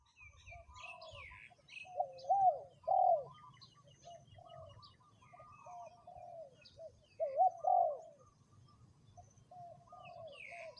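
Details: Spotted dove kept as a ground decoy, third calling round: two loud paired coo phrases, each a rising then falling mellow note, near 2.5 and 7.5 seconds, with softer coos from other doves and faint chirps around.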